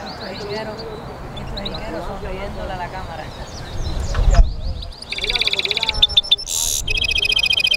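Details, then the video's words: Caged European goldfinch mule bursting into song after indistinct background sounds: rapid metallic trills, a harsh high buzzy note, then an evenly pulsed rattling phrase. "European Goldfinch mule singing"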